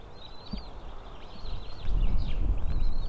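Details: White-tailed eagle female feeding three small eaglets at the nest, 20 April 2016 at 7:38. A few high, thin arched whistles sound over rising low rustling and thumping from activity in the nest.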